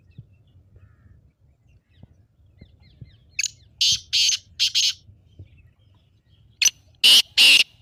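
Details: Black francolin, kala teetar, giving its excited call, used to stir pet partridges into calling: harsh, rasping notes grouped in two quick phrases, three bursts, then four louder bursts after a pause, over faint low rumble.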